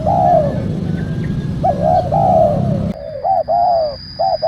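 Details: Spotted dove call recorded to attract wild doves: a long falling coo followed by further coo phrases. Partway through, the background noise drops abruptly and a steady high tone begins while short clipped coos continue.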